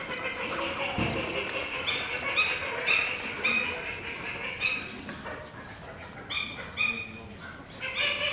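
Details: Small call ducks walking fast behind staff and calling loudly as they go; short, harsh quacks come in irregular bursts, some louder and closer, over a constant background hiss.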